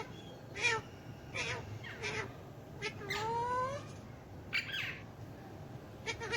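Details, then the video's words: A hand-tame Alexandrine parakeet talks, possibly in Urdu/Hindi, with a string of short, raspy, speech-like syllables about one a second and one longer wavering phrase in the middle, over faint room hiss. "Alexandrine Parrot Talking / Hand Tame Talking Alexandrine Parrot /And Ringneck Parrots talking"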